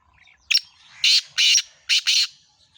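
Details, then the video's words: Black francolin calling: a harsh, grating series of five loud broadband notes, a short first note followed by longer rasping ones, with a brief gap before the last pair, against a quiet background. "kala tetar ki awaz boli"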